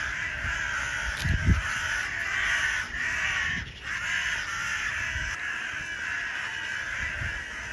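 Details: Many crows caw harshly in a steady, overlapping din after being shown black feathers, with a few low thumps and knocks mixed in.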